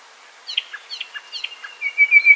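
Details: Common Nightingale song from Poland: soft, spaced chirps and short falling notes at first, then a thin, sustained whistled tone that swells at the end.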